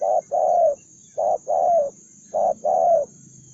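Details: Aggressive, combative spotted dove giving low coos in three phrases, each a short note followed by a longer, slightly falling hoarse coo, repeated about every 1.2 seconds over a steady high hiss.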